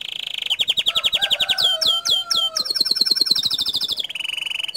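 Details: Canary singing gacor style: a steady high trill gives way to slurred whistles and sweeping upward notes. The song then runs into fast repeated high pulses and finishes on a rolling trill.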